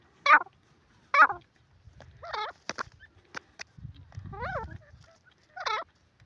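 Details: Grey francolin (silver teetar) calling in loud, rasping bursts, then quieter wavering notes, with a low murmur and clicking sounds in the background.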